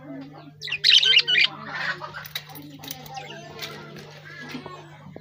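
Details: Lovebird chirps: a loud cluster of piercing, rapid chirps near the start, then softer scattered twitters fading out over a continuous low hum.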